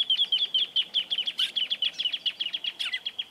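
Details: Grassland Yellow-Finch (misto), Sicalis luteola, in rural Esperanza, Santa Fe, Argentina, 2023: a fast, steady series of sharp high chirps, about two per second or more, with a couple of louder buzzy notes mixed in.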